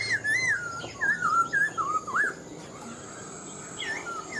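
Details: Caged black-throated laughingthrush, caught wild as an adult and partly moulted, singing a fast string of clear, wavering whistles that bend up and down, about three notes a second, then a brief quieter pause and a final phrase.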